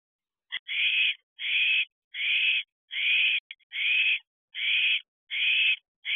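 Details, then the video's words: Excited owlet calling in an owl box at 11:15 pm on 7/11/23, about 14 weeks after hatching as its siblings disperse: harsh, hissing screeches about half a second long, repeated roughly every 0.8 seconds, with nothing else heard. "#OwletMin Gets Excited."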